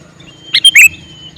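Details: A single brisk call from a male sooty-headed bulbul: three fast, bright, liquid notes, the last one longest, over a faint steady whistle.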